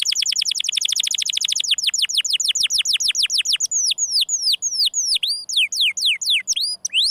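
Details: Canary singing 'gesekan': a quick, tight trill of descending notes that steadily loosens into separate, sharply falling whistles spaced about a third of a second apart.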